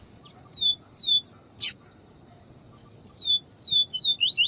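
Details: A female Double-collared seedeater (papa-capim) calls to excite a male, giving short, high, downslurred whistled notes, mostly in pairs, over a steady high insect-like whine.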